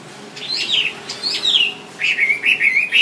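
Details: Wambi singing, recorded as tutor material for songbirds: two loud falling whistled slurs, then a quick run of short upswept notes repeated about four times a second.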